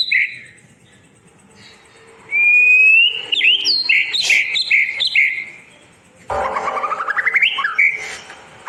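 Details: White-rumped shama tutor song for birds that went quiet: a soft note, then loud rising whistles and varied warbled phrases, a pause, and a fast accelerating rising trill with whistled ends.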